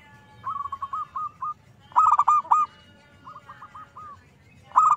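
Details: Zebra dove song used as a lure to provoke other zebra doves into singing: a soft run of rapid, even cooing notes, then a loud rolling burst. A quieter run and another loud burst follow.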